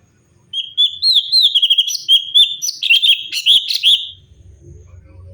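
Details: Lively song of a cucak cungkok bulbul meant for training other songbirds: after a brief quiet, three seconds of fast, varied whistled notes and rattling chips, ending with a soft low hum in the background.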